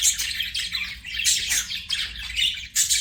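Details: Budgerigar chirping in a continuous scratchy, warbling stream of high notes, pulsing in bursts roughly every half second with brief dips, steady faint low hum beneath.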